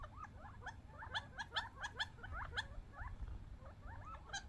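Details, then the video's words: Wild young quail from the desert competing for bird seed; rapid chattering of curled, hooked chirps, several birds calling together, punctuated by loud sharp clicks about twice a second, over low background rumble. "Quail fighting over seeds funny sounds"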